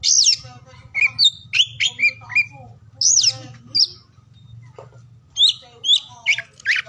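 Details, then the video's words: Oriental magpie-robin song for coaxing lazy or silent birds to sing: loud rich whistled phrases in bursts, a quiet gap around four to five seconds, then more sharp notes. "KICAUAN KACER DI PAGI SIANG SORE HARI UNTUK MERANGSANG KACER BISU DAN MALAS BUNYI AGAR CEPAT GACOR"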